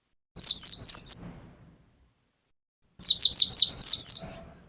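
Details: Pet mountain white-eye, Pacitan type, shooting out 'nembak' phrases: a quick string of four high falling whistles, a pause of under two seconds, then a faster run of six similar bright notes.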